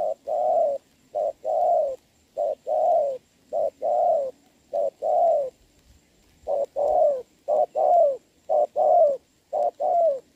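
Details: Spotted doves at a trap in the rain, 26 November 2022: trained decoy against a wild bird cooing strongly. Long series of soft short-long coo pairs, a short pause near the middle, then more pairs.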